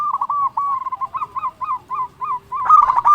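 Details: Zebra dove of a local strain, in full song to call rivals: a rapid string of short, hooked cooing notes, evenly spaced, ending in a quicker rolling flourish.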